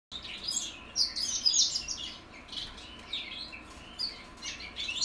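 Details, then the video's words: Young goldfinch mules from 2021 learning to sing: a rambling, high twittering stream of quick chirps and short slurred notes, louder bursts near the start and again toward the end, with faint steady background hiss. "goldfinch mules learning how to sing"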